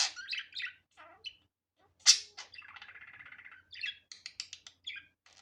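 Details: Budgerigar chattering with varied sharp chirps, a loud squeak, then a rapid buzzy trill of repeated clicks, followed by scattered high tweets.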